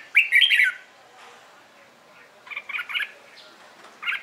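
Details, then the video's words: Red-whiskered bulbul competition song in the morning: an opening loud, rich, slurred whistled phrase, then quieter stuttering chirps, and a final short burst. "CHÀO MÀO HÓT BUỔI SÁNG"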